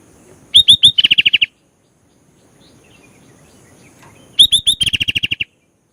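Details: Sooty-headed bulbul singing with rich filler phrases: two matching bursts, each of three upslurred whistles and a rapid run of about nine even notes, separated by a quiet interval.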